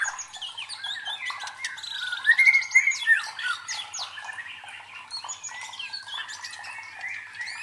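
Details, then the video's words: White-rumped shama song used as a lure to train a competition fighter bird's mental toughness: a dense, continuous stream of rapid varied chirps and warbled notes, louder whistled phrases near the middle, with faint overlapping birdsong. "MELATIH MENTAL FIGHTER MURAI BATU DENGAN SUARA PANCINGAN INI"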